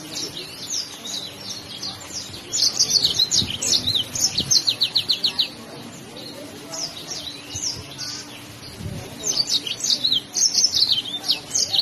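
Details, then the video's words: A yellow-fronted canary (Mozambique), singing in full form, pours out fast, high, chattering phrases of rapid trills and twittering notes in two long bursts with a brief quieter gap between. "kicau burung mozambik gacor"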